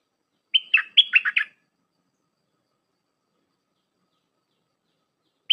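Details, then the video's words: Flourish-packed song of a Red-whiskered bulbul, played for tutoring hand-fed young birds: one rapid phrase of six bright, dipping whistled notes, then a long pause with a next note just starting at the end. "เสียงนกดอกแตงEp.129เปิดหัดลูกป้อน/ลูกเสอ เพลงแน่นๆ สับดอกล้วนๆ"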